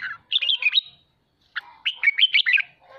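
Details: Red-whiskered bulbul ché-style song used to stimulate home birds to train their voice: two lively phrases of warbling, slurred whistles and chattering notes separated by a short pause.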